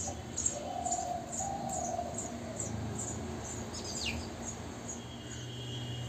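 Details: Begging of three-day-old house sparrow chicks cared for by both parents in a bird house, fed on insects; a steady series of shrill high cheeps about twice a second, one sharp descending chirp, and a faint lower hum.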